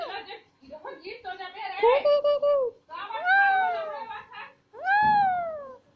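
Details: Alexandrine parrot mimicking human speech in a small room: chattering syllables followed by longer arched, voiced tones, a burst of mimicked words.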